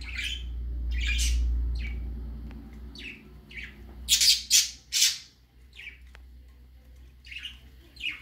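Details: Young budgerigar on its first time out gives separate short raspy squawks about twice a second, the loudest trio near four to five seconds, with a low rumble early on.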